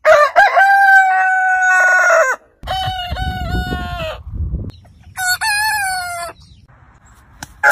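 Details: Heritage-breed roosters crowing one after another: a long level crow, a second crow over a low rumbling background, then a higher, shorter crow, with a brief clipped call at the end.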